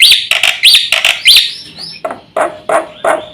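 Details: Black-winged myna in a provoking master recording: loud upslurred whistled notes with nasal buzz, then lower harsh squawks roughly every third of a second.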